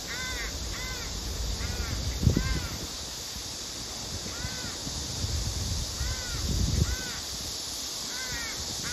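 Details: Crows squabble over food, with a female begging a male to share and rival males chasing; a crow gives short, nasal, arched caws in quick pairs and bursts, over a low rumble of wind.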